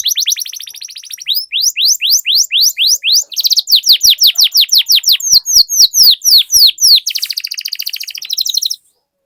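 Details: Long rolling canary song meant to prompt other canaries to sing: rapid buzzy trills give way to quick runs of descending whistled notes, then another dense trill, sustained for about nine seconds.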